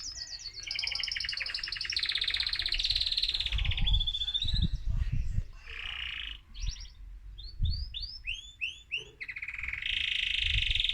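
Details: Male mosaic canary, excited, singing to stimulate other birds: long rolling trills shifting in pitch, a buzzy section, then a run of rising curved whistles, with low thumping noises underneath.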